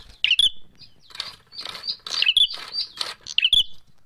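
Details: Bar-winged prinias in a fight: rapid, high, whistled chip notes alternate with rasping, buzzy bursts in an irregular, agitated series, with brief pauses between phrases.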